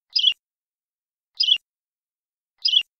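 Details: A European robin repeats a single brief, high, twittering song motif from one of its songs three times, about every 1.2 seconds, with clean silence between repeats, each ending in a faint click.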